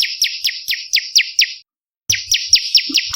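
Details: Olive-backed tailorbird lure song for attracting and training birds: high, sharp, downslurred notes repeated several times per second, a brief silence, then the same series resumes.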